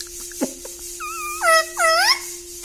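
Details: Talking parrot, kept indoors: three clear tonal syllables, the first two level, the last sweeping upward and downward, with a steady low hum throughout and a click near the start.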